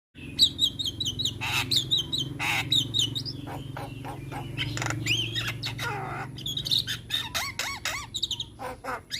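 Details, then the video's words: Young Javan myna in full, varied song packed with mimicked phrases: harsh broadband rasps mixed with high whistled trills and chirps, with a low steady hum underneath throughout. "Masteran Burung Jalak Muda - Jalak Kebo gacor Banyak Isian"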